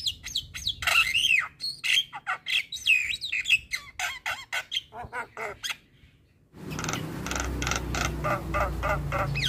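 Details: Javan myna singing steadily for young mynas to learn from: rapid harsh squawks and looping whistled notes for about six seconds, a short silence, then a burst of loud broadband noise.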